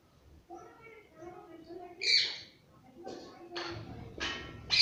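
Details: Pet parrot kept at home, a short voice-like harmonic murmur followed by a sudden harsh squawk and several raspy broadband screeches near the end.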